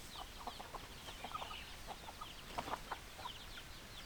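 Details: Hens clucking: scattered short, low clucks, a few sharper ones past the midpoint, with faint high chirping and steady background hiss.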